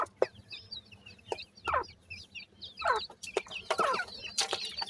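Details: Feeding teetar (francolin) chicks give many quick, high, sliding peeps. Several louder, harsher chirps stand out, alongside sharp clicks from pecking.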